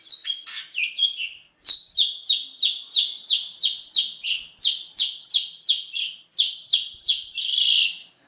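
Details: Long-tailed shrike (cendet) singing a fast, tightly packed rolling song: rapid repeated buzzy chattering notes, about three per second, steady through the recording with no other sounds.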